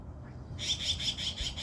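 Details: Yellow-billed Magpie, a native California species, one of three birds including young ones in a social family group, gives a harsh, rasping chatter of about five quick notes in under a second, after a quiet start with faint low rumble.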